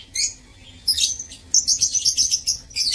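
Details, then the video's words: Lovebirds kept in an aviary, recorded 15 April 2024: short bursts of shrill, high-pitched chirping, irregular at first, then a quick run of sharp chips, with brief quiet gaps between. "Aviary Lovebirds"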